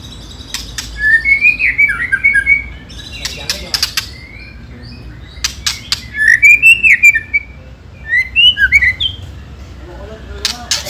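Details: White-rumped shama singing a 'ketrekan' lure song used to provoke rival birds into fighting. Bursts of warbled, rising-and-falling whistled phrases alternate with pauses, interspersed with sharp clicking and rattling notes.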